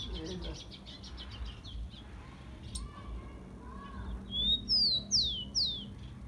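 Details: Rufous-collared sparrow, or tico-tico, singing for warming up kept birds: a faint rapid series of soft notes first, then a clear phrase of a rising whistle and three sharply falling slurs near the end.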